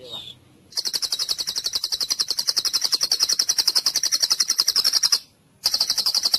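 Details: White-rumped shama in the cililin song style, a training recording for other birds: a long, rapid, high trill of evenly repeated notes, about four per second, that breaks off briefly and then resumes.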